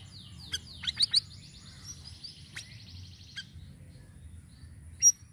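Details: Sirisiri singing, recorded as bait for luring birds. Rapid, high, descending trill-like notes at the start with loud clicking chirps, then a quieter run and one sharp final chip.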